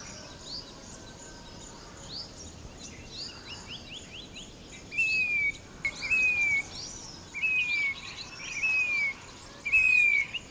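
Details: Indian plaintive cuckoo (grey-bellied cuckoo) calling after several seconds of faint chirping from other birds: five loud, descending whistles, each about half a second long, repeated at a steady pace over a soft background hiss.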